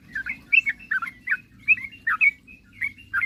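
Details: Sooty-headed bulbul singing vigorously to draw rival birds into answering: bubbly, warbled whistles, some doubled, tumbling irregularly at a fast pace, with soft background rumble.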